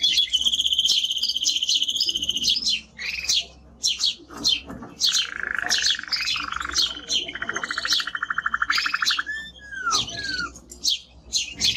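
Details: Male timbrado canary in strong song, opening with a high ringing sustained trill, then sharp chirps in a quick series and a long lower rolling trill that slurs down at the end.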